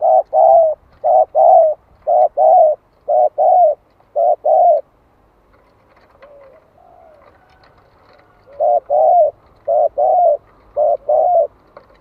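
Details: Spotted dove giving a decoy call meant to stimulate other doves to sing, in a 'calling and urging' style: loud, low, hollow coos in short paired bursts, repeated about once a second, with a quiet stretch of soft cooing midway.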